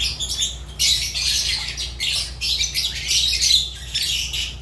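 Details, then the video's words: Fischer's lovebird chattering with loud, grating squawks packed closely together, a near-continuous stream of shrill notes over a faint low hum. "Lovebird Agapornis Fischer sounds"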